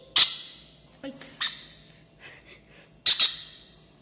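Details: Pineapple conure chick, twenty days old, being fed baby bird formula; harsh raspy squawks in short bursts, one opening burst, a cluster around the middle and a double squawk near the end, with faint softer chatter between.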